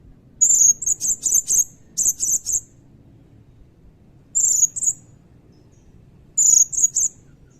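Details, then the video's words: Blue-crowned hanging parrot singing, recorded as tutor song for shamas and magpie-robins: loud, piercing high chirps in clusters, a rapid run at the start, then short paired bursts after long pauses. "Burung Serindit Gacor Nembak Isian Cililin Panjang"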